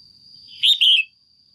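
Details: Caged female red-whiskered bulbul calling to stimulate a male or for pairing: one loud, clear, two-part chirping note, the halves split by a brief gap, over a steady thin high whine.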